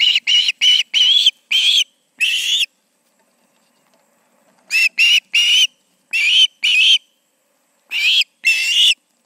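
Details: Osprey pair at the Charlo nest, evening of 20 August 2019: a burst of five sharp whistled calls, a pause of about two seconds, then three more clusters of two or three piercing notes.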